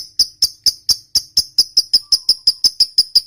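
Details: Lovebird's long chattering trill, used to provoke other lovebirds: a steady series of about fifteen sharp, high, clicking chirps repeated roughly every quarter second throughout, with no other sounds.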